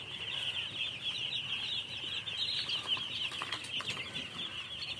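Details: Dense high peeping from a group of baby chickens, many rapid overlapping chirps with some rustling in the background.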